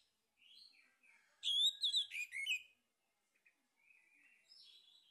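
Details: Male orange-headed thrush in a lure for stimulating singing: soft whistled notes lead to a loud, tumbling run of slurred whistles, then quieter warbling after a brief gap.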